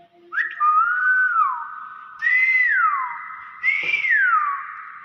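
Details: Common hill myna kept indoors, mimicking the spoken word "bakpao": three drawn-out whistled phrases in series, each opening with a sharp attack, bowing up and sliding lower, the last one pitched highest, with a brief click near the end.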